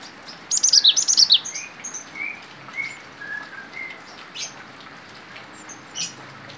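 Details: Cinereous tit (gelatik batu) in full 'gacor fighter' style song, mastered with bar-winged prinia (ciblek) phrases: a tight burst of high, sharp chirps lasting under a second, then faint, spaced mid-pitched whistled notes over a soft, pattering background.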